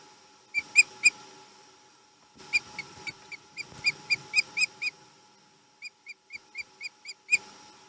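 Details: Returning male osprey at a Chesapeake nest, March 2020: several bursts of sharp, high, whistled chirps, three to eight notes per burst at about four per second, with soft rustling and a steady faint hum underneath.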